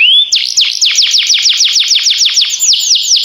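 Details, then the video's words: Canary song: a short rising whistle, then a long fast series of sweeping down-slurred notes, about five a second, bright and ringing. "This Sweet Melody Will Excite Your Singing Canary!"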